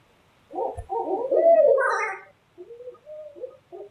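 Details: Owls calling at night in New Hampshire: a loud, wavering, slurred run of hoarse notes rising and falling, then a quieter string of short hooting notes after a brief silence.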